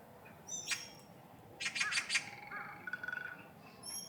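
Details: Siberian stonechat calling: a short, harsh chip, then a cluster of scratchy squawking notes and a soft rapid chatter, over a steady low background hiss.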